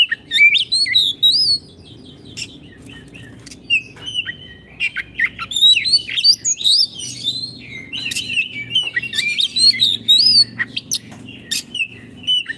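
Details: Oriental magpie-robin singing at length, aimed at coaxing caged birds back into song: dense bursts of varied whistles, trills and harsh chips in alternating busy and quieter stretches, with a constant low hum.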